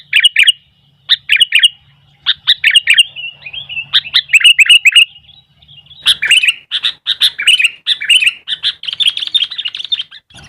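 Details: A sooty-headed bulbul sings energetically while wild bulbuls answer, the bright chirping phrases growing denser and almost continuous in the second half, a busy chorus of bubbly notes.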